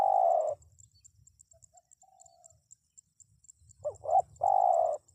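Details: Spotted dove. The clip opens at the end of a long purring coo, followed by soft faint notes. A full new phrase of two hooked notes and a sustained coo follows, over low rumble and high ticking.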